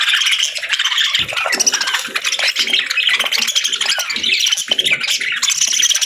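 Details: Several budgies chattering at once, a steady, unbroken wash of scratchy twitters and squeaky chirps with no pauses.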